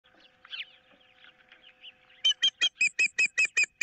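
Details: Osprey at a nest on 15 April 2023, with an intruder of some kind nearby and a dispute over a fish. Faint scattered chirps give way to a loud burst of about nine sharp, whistled chirps in rapid succession over a steady electrical hum.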